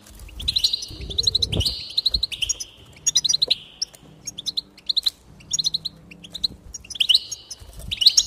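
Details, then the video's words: Goldfinch singing, meant to stimulate another goldfinch to sing: quick runs of bright tinkling notes linked to sustained buzzy trills, a steady stream with short gaps and a soft low hum in the background. "increase the enthusiasm of the goldfinch and encourage it to song"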